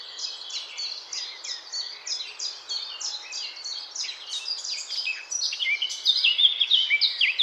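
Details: Eurasian blackcap song: a long run of quick, scratchy, chattering notes repeated about three times a second, ending in louder, clear fluting whistles.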